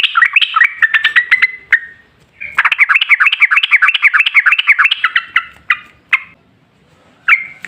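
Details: Yellow-vented bulbul lure song for triggering other bulbuls to sing; a short warbled phrase, a pause, then a long fast run of bubbly repeated notes before scattered single calls.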